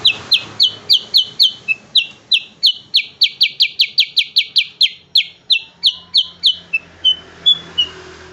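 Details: A gacor black-headed bulbul fires a long burst of sharp falling whistles, roughly four per second. The notes slow and thin into a few softer chirps near the close. A low hum runs beneath.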